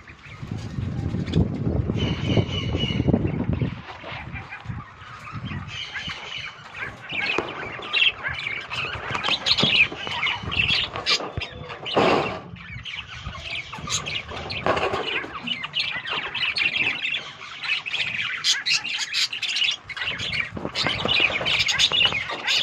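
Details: Several pet budgerigars in the morning chatter with busy, scratchy chirps and squawks in a steady warbling babble.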